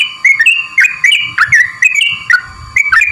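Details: Sooty-headed bulbul (trucukan) lure song, used to provoke a bird that is reluctant to sing. Bright, whistled chirps come in quick bursts of two or three notes, repeated about every half second, over a steady faint tone.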